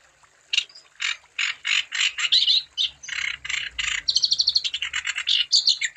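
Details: Wambi song used to stir other wambi into singing: raspy ratchet-like bursts spaced regularly, breaking into a faster run of thin, high, clipped notes.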